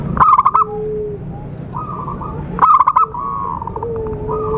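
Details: Zebra dove calls played as a lure for trapping birds: two loud bursts of rapid, stuttering coos, each about half a second long, with fainter, softer coo trills and long low whistled notes from other birds in between.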